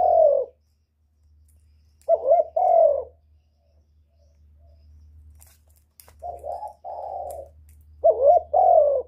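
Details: Spotted dove calling to stimulate other birds, four mellow two-part coos at uneven intervals, each a short warbled note followed by a drawn-out fuller coo, with a faint low hum underneath.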